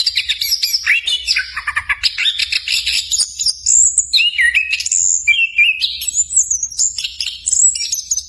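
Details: Continuous varied song of an orange-headed thrush, played as a master recording to train captive birds: rapid chattering runs giving way to clear whistled notes that step up and down in pitch, over a faint low hum.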